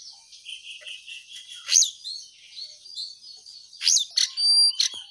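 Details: Cingcoang coklat, the lesser shortwing, delivering a continuous high twittering song with buzzy sustained notes, sudden sharp up-slurred whistles and a loud clear whistled flourish near the end.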